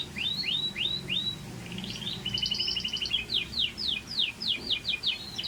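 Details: Scotch Fancy canary song of quick descending whistled sweeps, then a buzzy rattling roll, followed by a long series of sharp, rhythmic downward-slurred notes repeated several times per second.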